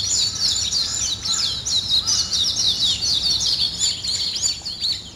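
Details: Morning birdsong: a dense chorus of many birds with high, quick chirps and twittering notes. It runs without a break, with a few fainter lower notes underneath.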